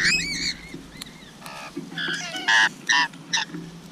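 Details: Rainbow lorikeet (Trichoglossus moluccanus) feeding, giving harsh, screechy squawks in several short bursts in quick succession over a few seconds, with a low background hum.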